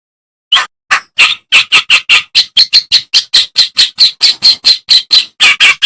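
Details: Reed warbler song for training cage songbirds: a few spaced, harsh notes that settle into a regular, repeated chattering, roughly two to three notes per second, loud and dry.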